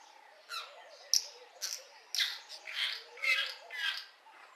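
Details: Early-morning song of a lesser striped swallow in a garden, a run of scratchy, buzzy chirps and twitters repeated about twice per second, with a soft low hum underneath.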